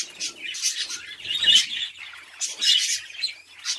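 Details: Budgerigars kept and bred at home as a hobby, heard as dense, scratchy, high warbling chatter in about four loud bursts with quieter twittering between them.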